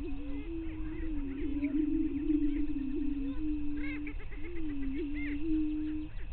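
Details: Low, drawn-out hollow moans repeat almost without a break from greater prairie chickens on a lek in northwestern Minnesota's Bluestem Prairie, 5:30 AM on May 9, 2023. Faint higher cackles sound in the background.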